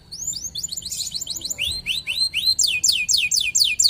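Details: Local canary singing varied high chirps and curved whistled notes, starting softly amid light background noise and growing louder toward the end.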